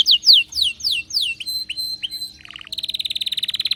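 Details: Canary singing excitedly with loud slurred descending notes, a few short whistles, a brief low buzzy phrase, then a rapid sustained trill.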